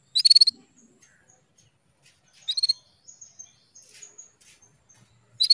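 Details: Female canary chirping to stimulate a male into breeding condition: short, high, stuttering chirp bursts repeated roughly every two and a half seconds, with fainter twitters between them in a quiet background.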